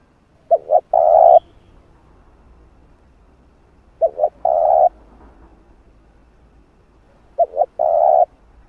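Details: Spotted dove used to lure and train a decoy bird gives three even phrases, each a quick double coo and a long sustained coo, about every three and a half seconds.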